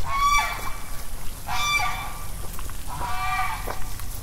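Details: At Constitution Park, Cumberland, Maryland, USA, on 2021-07-02, with a directional microphone facing the goose, a goose gives three harsh, nasal honks about every one and a half seconds, each a drawn-out blare, over steady low wind and handling noise.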